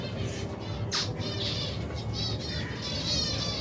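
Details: Large finch colony with babies eating in cold weather; a sharp downward chirp, then a run of rapid, wavering nasal peeps from many birds together over a steady low background rumble.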